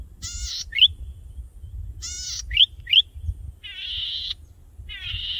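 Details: Golden-headed Cisticola, probably a male in breeding plumage, perched high on a tall grass stalk and singing to attract a mate with no replies: harsh, buzzy wheezes broken by sharp, liquid upslurred 'plik' notes in short bursts, with building noise underneath.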